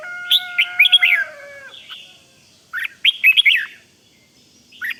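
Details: Red-whiskered bulbul sounding the 'rik' calls that excite other bulbuls. A steady layered whistle opens under a burst of sharp slurred notes; a second loud cluster follows near three seconds, then a brief closing chirp.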